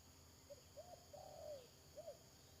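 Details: Spotted dove calling as a trapping decoy on 31 May 2022: a brief low note, an arched coo, a longer descending coo and a final arched note, soft amid background hiss.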